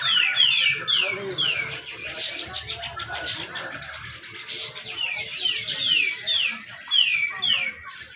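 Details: Grey-cheeked bulbul in besetan rapet competition style, from Malinau, North Kalimantan, used to stir silent bulbuls into song. Runs of five or six falling whistled notes open and close a busy warbled stretch, over faint low background noise.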